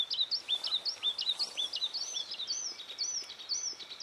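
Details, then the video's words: Yellow tit at Aowanda, recorded 8 January 2012 around 10:14 in the morning, giving a continuous run of quick, looping whistled notes that rise and fall, repeated rapidly with steady background hiss. "黃山雀@奧萬大 (Yellow Tit)"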